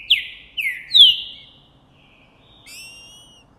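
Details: Green-winged saltator, Trinca Ferro Boi type, January 2024, singing after seeing a female: three bright descending whistles in quick succession, then a softer, thinner drawn-out tone after a short pause.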